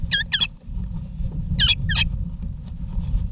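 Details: Wild backyard eastern rosellas, adults with chicks in their nesting box in Australia, November 2018. Two pairs of grating, harmonic calls about a second and a half apart, with a strong low rumble throughout.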